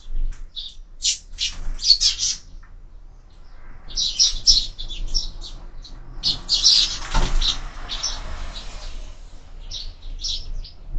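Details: At a feeder fixed to a window, sparrows chirp in clustered bursts of bright high notes separated by short gaps, with a brief rustling noise in the middle.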